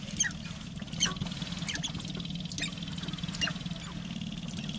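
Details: Two Sharp-tailed grouse in a confrontation over space on their mating lek, giving sharp, scratchy clucks and chirps in short, irregular bursts about a second apart, over a steady low rumble of wind.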